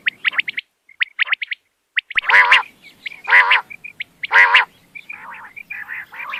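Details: Quail lure recording for hunting at night: short chirps give way to three loud, rasping, harmonic calls about a second apart, then softer buzzy notes.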